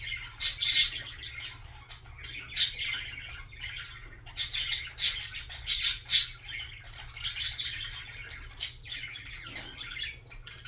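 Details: Budgerigar singing, a chattering warble of rapid chirps and squawky notes in bursts, with low steady hum beneath.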